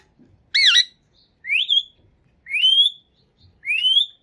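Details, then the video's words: Green parrot from Pakistan, a talking bird speaking Urdu, gives one harsh wavering squawk followed by three clear rising whistled calls, evenly spaced about a second apart, in a quiet room. "Pakistani Green Talking Parrot Speaking Urdu"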